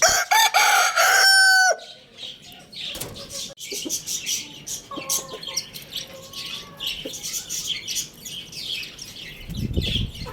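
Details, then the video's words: Lohmann Brown rooster at Lalukhet bird market crowing loudly: a strong, harmonic-rich call with a wavering pitch lasting under two seconds, cut off sharply, then a dense background of many small birds chirping and twittering. "Amazing Rooster Crowing Sound Effect"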